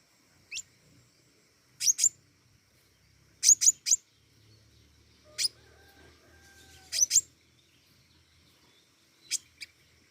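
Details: Pentis raja flowerpecker in full lively song: very high, thin paired and tripled ticking notes in short clusters roughly every one to two seconds, clean and sharp, with faint low rumbling in the background.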